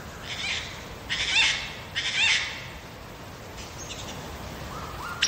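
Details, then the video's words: A wild Lyrebird sings in the Megalong Valley, Blue Mountains, Australia: three loud, harsh rasping bursts about a second apart with brief whistled notes inside, then softer high whistles and a short rising tone. "Lyrebird song"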